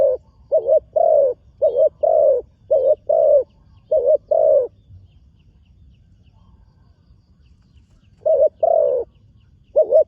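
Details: New spotted dove on its first outing to the earthen contest ground, giving a run of low mellow coos in twos, a short note then a longer one, four pairs in quick succession, a pause of several seconds, then more.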